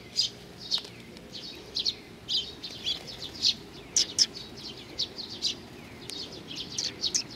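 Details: Group of Eurasian tree sparrows coming for food at Mizukami Bridge, 4 June 2020: many thin, high chirps overlapping in a busy chatter, with some louder sharp notes standing out.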